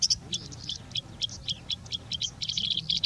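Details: Singing Bushlark in India mimicking other birds, a rapid run of short high chirps and trills, varied notes packed closely together with barely any pause, over a faint low rumble.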